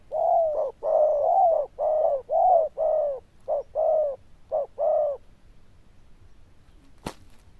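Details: Zebra dove with a loud, bell-toned voice and good cooing style, giving a run of about ten rich, mellow coo notes in quick bursts, some short and some drawn out, over five seconds, then quiet with a single sharp click.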